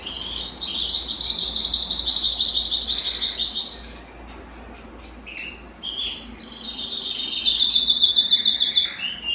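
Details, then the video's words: Belgian canary song played to stimulate males and bring females into breeding condition: loud, high, rapidly pulsed trills, about four pulses a second, running in long rolling phrases with a brief pause near the middle. "Canto Para Esquentar Canário Belga e Foguear as Fêmeas"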